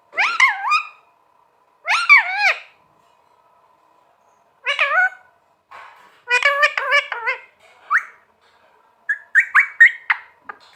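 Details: Green talking parrot kept as a pet, giving repeated harsh, wavering squawks in short bursts separated by pauses, some rapid chattering runs and sharp chirps; a low hum in the background.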